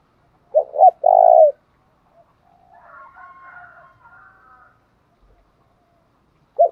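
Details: Spotted dove in thổ pha đồng style giving one low cooing phrase of a short coo and a longer coo, followed by quieter higher wavering tones and the start of another coo.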